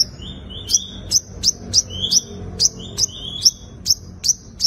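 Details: A sunbird repeats a two-part phrase as its fighting song for luring wild birds: a lower thin whistle leading into a sharp high chip, about twice a second, against a quiet background.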